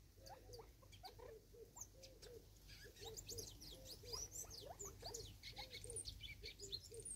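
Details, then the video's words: Six Natal spurfowl competing over food in South Africa, 2024: soft low arched notes repeated in quick chattering series throughout, with pecking clicks and thin high chirps of other small birds overhead. "Six Birds of a feather competing over food & making sounds"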